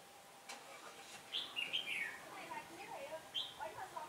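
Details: Red-whiskered bulbul, a decoy bird used for trapping, on a day the wind changed, 15 October 2017: quick warbled whistled phrases sliding down from high to middle pitch, followed by softer lower twittering, over steady background hiss.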